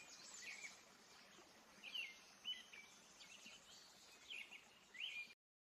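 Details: Tame house sparrows approaching while feeding in a home patio; faint, sharp chirps and short twitters come in irregular bursts against a soft hiss, then the sound cuts off abruptly.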